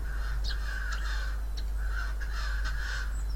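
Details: Wild Siberian jay imitating coughing: short, rough, rasping bursts repeated in quick succession, each a few tenths of a second long, over a steady low hum.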